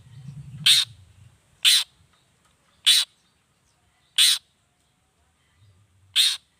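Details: Harsh rasping notes of a long-tailed shrike, locally cendet, repeated five times about once a second to provoke rival shrikes, after a brief low rumble at the start.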